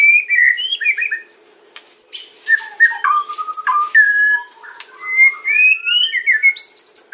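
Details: Varied white-rumped shama song in kretekan and ocean style, used as a lure for other shamas: fluty whistles, rapid chattering clicks and a rising whistled phrase after a short pause.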